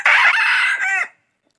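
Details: Brief, loud crow of a young F3 decoy rooster recorded in 2022: one harsh, hoarse note about a second long with a slight break near the end, then silence.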